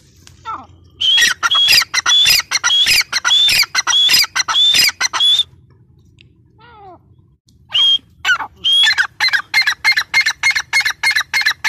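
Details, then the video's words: Grey francolin female, or teetar, uttering bursts of harsh squawking notes with a whistled edge, a pause with a faint descending call, then a faster, accelerating run of short notes. "gray francolin teetar sound | female teetar sound"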